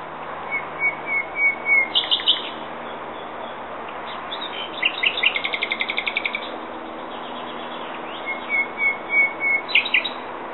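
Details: Common nightingale delivering varied song phrases: pure whistled notes repeated in a slow swelling series, then fast rattling trills of clipped notes, with pauses of steady background hiss between phrases.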